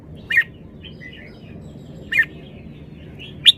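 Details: Red-whiskered bulbul giving short, sharp chirps roughly every two seconds, each dropping quickly in pitch, with faint soft whistles in between and a low hum throughout.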